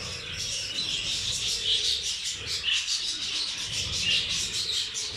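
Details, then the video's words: Budgerigars sharing a rice meal with zebra finches give steady high twittering and sharp chirps that overlap without break, forming a busy bright chatter over faint low background rumble. "Budgies and rice meal"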